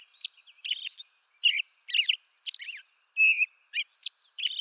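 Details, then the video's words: Song of an American robin from eastern North America, with clear whistled phrases and one sustained, even whistle in the middle, interspersed with high thin squeaks. Phrases are spaced irregularly. "American Robin Bird Song Video Bird Songs Eastern North America-American Robin Sounds"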